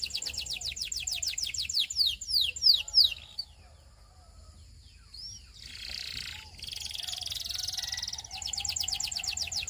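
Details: Russian canary song: repeated rapid high trill strokes, then several louder downslurred whistles, followed by softer high buzzy rolls and a renewed fast trill near the end.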